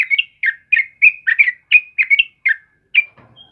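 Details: Sooty-headed bulbul, kebo type, singing vigorously in the morning: about ten bubbly, liquid whistled phrases about a third of a second apart, ending in a soft rustle.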